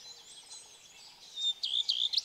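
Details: Common redstart, singing male, one of six singing males noted at Kunfehértó, Hungary, on 15 April 2018; a faint high twitter, then a short burst of loud, clear repeated high notes near the end.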